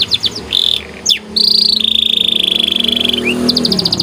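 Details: Singing white canary, lively training song with special phrasing: quick chirps, a swooping note, then a long level buzzing trill before a short burst of fast high notes, with faint hiss.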